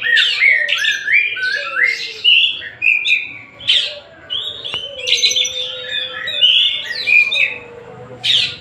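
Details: Continuous varied singing from a white-rumped shama of the Tasikmalaya type: descending whistled notes repeated in a series, then dense bursts of sweeping, chattering phrases, with a low steady hum in the background.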